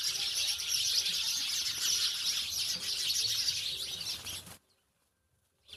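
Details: Dense chirping from many house sparrows in a village fills the first four and a half seconds, then stops abruptly into silence, with one brief sound near the end.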